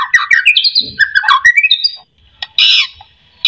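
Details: Song of a white-rumped shama used to coax other shamas into song: jumbled chattering and whistled notes at varying pitch, a pause, then harsh noisy bursts.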